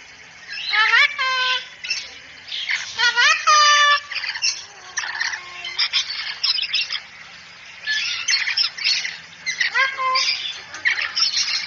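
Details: Cockatoo calls on a masteran training track meant to make cockatoos talk quickly and chatter: loud, harsh, harmonic squawks that rise then drop, in bursts near the start and end, with shorter scratchy chatter between and a quiet background.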